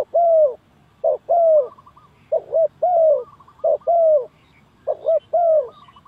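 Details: Spotted dove lure call for trapping, five phrases of short coo plus a longer downslurred coo, with soft rolling trill notes between them.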